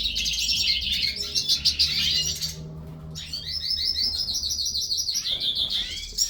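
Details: Hooded siskins in a breeding aviary sing a fast, buzzy twittering phrase that stops briefly, then resumes as a long, high, rolling trill with a few lower chirps.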